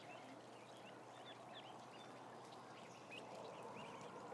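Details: About a thousand ducklings heard peeping, giving short, bright upward-sweeping notes in quick irregular succession over a steady hum that grows slightly louder later.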